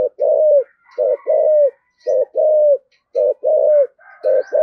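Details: Spotted dove's 'thổ sấm' voice with rapid coos: rich, low two-note coos, a short bark-like note then a sustained falling one, repeated briskly while another bird chirps softly behind.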